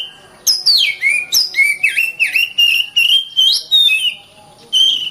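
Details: Oriental magpie-robin (kacer) in full dense song for training contest birds: a fast string of loud swooping whistles, some dropping sharply, others rising, linked by scratchy flourishes with short gaps; quiet steady high hum in the background.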